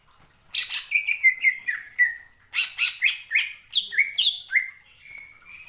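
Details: Singing greater green leafbird, known as a mimic of other birds, heard in two phrases of quick chirps followed by a run of clear whistled notes stepping up and down, meant to set other leafbirds singing.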